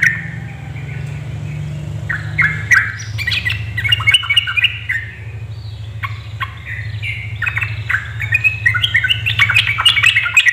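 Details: Female yellow-vented bulbul calling to provoke males into song, kept-bird lure recording: bursts of sharp, scratchy chirps and squawks, sparse at first, then crowding into busy chatter toward the end, over a steady low hum.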